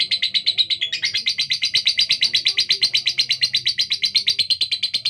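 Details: A female lovebird with a harsh, speedy song, kept for competition: an unbroken, buzzy chatter of quick repeated notes that steps up in pitch after the first second and holds steady to the end.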